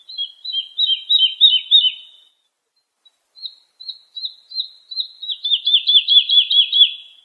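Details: Lark song used to tutor young birds: a tinkling chirped phrase, a brief pause, then spaced single notes that quicken into a loud, even series of sharp slurred chirps, about three per second.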